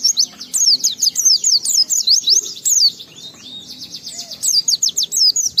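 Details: Fast, high trilling song of an Oriental white-eye, played to trigger other white-eyes into singing; wavering whistled notes repeated in quick runs, with a brief softer pause midway.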